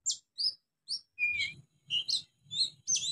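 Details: Young wild oriental magpie-robin practising its song: high sharp chirps, a clear whistled note, then varied scratchy warbled phrases repeated about every half second, with faint low background noise.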